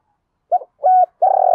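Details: Decoy spotted dove cooing to lure wild doves: a soft clipped note, a level coo, then the start of a long vibrating coo cut off at the end.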